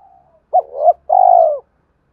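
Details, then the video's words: Decoy spotted dove cooing to provoke fighting and call a mate, used to stir stubborn newly caught doves into calling: a faint lead-in, then a short two-part coo and a long, steady, slightly falling hoarse coo. "tiếng cu gáy mồi thúc đấu và gáy gọi hậu hai"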